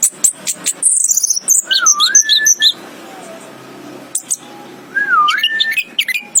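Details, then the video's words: Orange-headed thrush, called anis kembang, singing a mix of high rapid chirps and a fluid, wavy mid-pitched whistle, a quieter pause, then the wavy whistle again followed by high notes. "chirping of the anis kembang bird"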